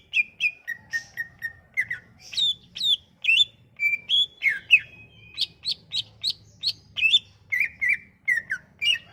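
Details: Sumatran leafbird song used as a lure for leafbirds that have stopped singing: a continuous varied medley of clear whistles, downslurs, high flicks and short trills, delivered almost without pause over a soft low background hum.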